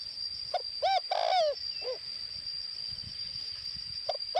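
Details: Decoy spotted dove from northwest Vietnam calling: a few low, arched cooing notes, one longer rolling coo, then paired coos near the end, over a steady high whine and faint background hiss.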